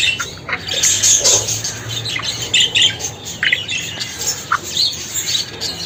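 Budgerigars chatter in a steady, busy stream of high, scratchy warbles and squawks, with quick chirps overlapping throughout.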